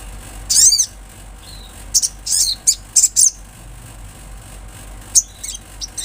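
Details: Olive-backed sunbird calling with a loud, sweeping high trill, then a few clipped, sharp chirps in quick pairs, a pause, and several thin high twitters near the end.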